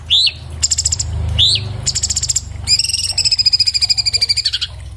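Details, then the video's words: Orange-bellied leafbird (Chloropsis hardwickii) recorded on an iPhone 7 Plus for a fast, clear master song: two sharp upswept whistles, then rapid buzzy trills and a long, level, high trilled phrase near the end. "MASTERAN BURUNG CUCAK CUNGKOK SPEED RAPAT SUARA JERNIH"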